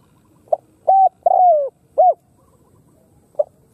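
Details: Khmer spotted dove cooing loudly and close: a soft short note, a level hollow coo, then a longer coo sliding downward, with the next phrase beginning at the end; the background is quiet.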